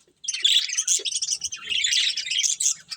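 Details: Colourful budgies eating, producing an unbroken stream of bright, scratchy high chatter and warbled chirps.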